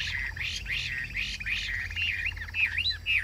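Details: Loud, fluid song of a caged Chinese hwamei: continuous wavering whistles that swoop up and down in rapid loops, with a few higher twisting notes near the end.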